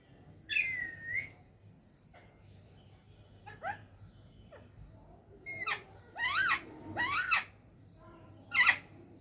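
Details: Talking parrot giving scattered, sharply bending harmonic calls: a short squawk near the start, a few faint chirps in the middle, then a cluster of three loud warbling calls and a final sharp note, with quiet pauses between.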